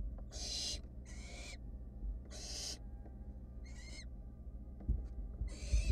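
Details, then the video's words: Wild barn owl nestlings in a monitored nest box, searching for food after a sibling swallowed a mouse. Five harsh hissing screeches, broad and noisy, each under half a second, spaced irregularly, with steady low rumbling background noise. "Barn owl nestling swallowed it so fast that its siblings keep searching"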